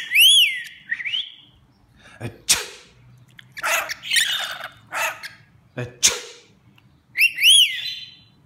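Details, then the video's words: A talking pet rainbow lorikeet mimics sneezing ("achoo") and speech such as "bless you" and "your breath stinks", mixing high arched whistles, sharp sneeze-like bursts and garbled phrases over several seconds. "Talking rainbow lorikeet"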